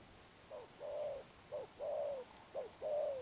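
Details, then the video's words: Newly caught spotted dove cooing Sấm Thổ style: three paired phrases, a short falling note then a longer even coo, evenly spaced about one second apart over faint hiss. "Gù Âm Sấm Thổ"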